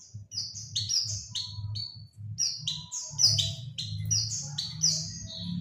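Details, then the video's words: Oriental white-eye lure sound meant to attract birds: lively runs of high, falling chirps, often in doubled notes, repeating almost continuously over a low background hum. "suara pancingan burung pleci"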